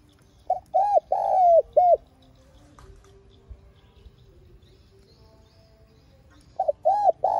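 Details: Lure calling of a spotted dove in the calling and urging style meant to make other doves coo: two bursts of four mellow, arched coos with a long sliding middle note, separated by several seconds of quiet.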